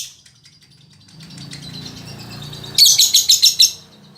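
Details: Female lovebird, a caged bird called a fighter and keen singer: a low murmuring hum and faint ticking at first, then a quick run of seven sharp, shrill chirps near the end.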